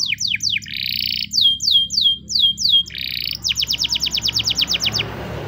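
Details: Spanish Timbrado canary singing a morning training song: alternating descending slurs and short buzzy rolls, then a rapid series of crisp repeated notes, with low hum underneath.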